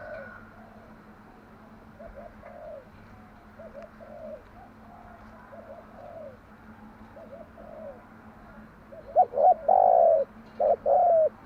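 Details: Spotted dove cooing in the morning, played to lure and train doves: soft, distant coos run through most of the stretch, then a loud close phrase of short notes and a long ringing coo near the end.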